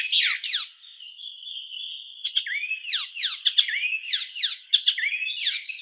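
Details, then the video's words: A songbird called a European crystal cemblek sings a rapid, bright song of sharp, buzzy downward-sweeping notes in quick bursts, linked by a thin sustained whistle and short twittering phrases. "Cemblek kristal eropa suara nembak nembak"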